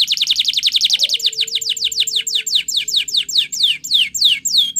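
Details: Spanish Timbrado canary training song: a very rapid trill of sweeping notes that gradually slows into separate descending whistles, with a faint low steady tone in the background.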